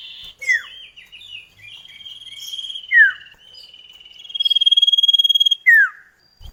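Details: Common iora duet played as a lure for kept birds; wavering trilled phrases and long buzzy rattles punctuated by clear steep falling whistles, one near the middle and one at the end.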